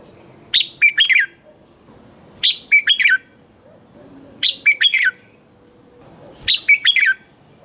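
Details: Red-whiskered bulbul singing in the morning, a recording used to train other bulbuls to sing: bright, rapid whistled phrases of four or five chirpy notes, repeated about every two seconds over a faint low background hum.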